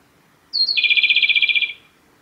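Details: A male Japanese robin (Larvivora akahige) sings at Yanagisawa Pass on 28 April 2019: a high, thin opening note dropping into a fast, even rattling trill of about fourteen notes in one second, over quiet background.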